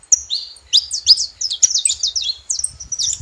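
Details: Noisy saffron finches heard together: a short run of bright chirps, each a quick slurred high note, packed into lively overlapping phrases over a few seconds.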